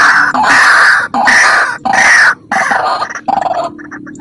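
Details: White-breasted waterhen calls played as a lure for trapping waterhens: loud, harsh, grunting bursts repeated in quick series, about five rough blocks in four seconds, ending in short clipped notes.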